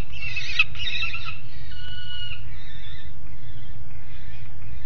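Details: Noisy juvenile peregrine falcon on the nest grate at Alphen aan de Rijn, 30 July 2016 at 12:30. A burst of harsh, harmonic calls comes first, then fainter drawn-out wails, over steady low rumbling background noise.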